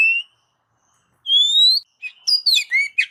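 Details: Oriental magpie-robin training song to stir pet birds into singing: a short note, then a long pure rising whistle, followed by a quick jumble of high chirps and slurred whistles.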